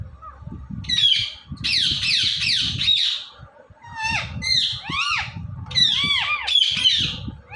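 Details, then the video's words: Indian ringneck parrot, filmed talking and dancing, runs through long harsh grating squawks, then rapid arched chattering notes sweeping up and down, over low background rumble. "Ringneck Parrot Talking"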